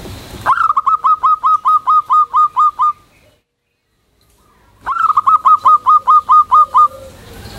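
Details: Zebra dove of local stock singing loudly to call its companions: two bursts of about ten crisp, rapid, evenly timed coo notes, each with a slight downward hook, separated by a few seconds of silence.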